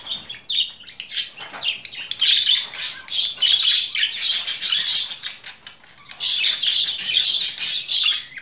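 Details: Budgerigar song: dense, rapid warbling chatter with buzzy trills and scratchy notes running almost without pause, one short quieter gap midway.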